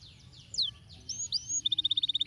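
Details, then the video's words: Canary song for encouraging lazy canaries to sing: faint sweeping notes and a few brighter slurred whistles, then a quick run of rapidly repeated short, even notes. "Bel canarino! molto anpuh stimola il suono dei canarini pigri cinguettando"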